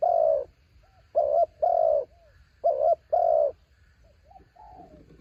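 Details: Spotted dove used as a decoy for wild birds in high wind. It gives a long coo, then two phrases, each a brisk double hoot plus a sustained mellow coo. Soft low murmured notes trail at the end.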